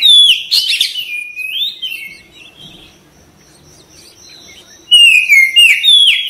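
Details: Oriental magpie-robin singing, from a therapy recording meant to trigger a quick response and tail display: loud descending whistles and chirpy bursts, a quiet gap of about three seconds with a thin steady tone, then another loud whistled run.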